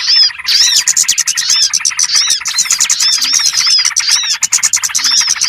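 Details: Small birds' lure call for trapping, opening with a lone chirp and then swelling into dense, shrill twittering with fast curved notes.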